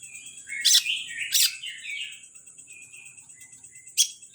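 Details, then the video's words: Greater green leafbird from Kalimantan, caged, producing loud harsh bursts and slurred warbling, then softer level whistles, accompanied by a continuous high-pitched ringing tone. "Burung cucak ijo kalimantan dak kalah sama cucak ijo Banyuwangi"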